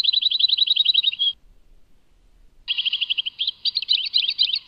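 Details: Tadmait goldfinch delivers a fast trilled run of high notes, falls silent for over a second, then resumes with another trill that breaks into a tangled, scratchy twitter.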